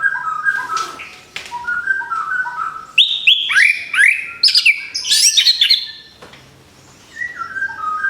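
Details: Orange-headed thrush, a caged bird after moulting. Soft mid-pitched whistles open, then loud upward-sweeping notes and scratchy high bursts follow before a quieter whistled close.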